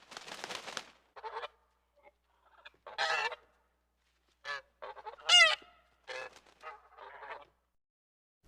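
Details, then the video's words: Goose giving a scattered series of short harsh honks and rasping calls of varying length, one louder strained honk near the middle, separated by brief silences. "goose sounds"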